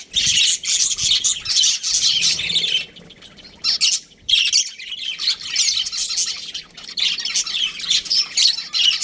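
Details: Breeding pair of budgerigars chirping, high scratchy warbles and squeaks in long busy runs broken by a short quiet gap near the middle.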